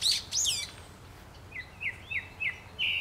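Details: Brown-eared bulbul calling in spring, opening with loud, high, sharply falling screeches, then a pause and a series of five softer downslurred notes repeated roughly every third of a second over faint background noise.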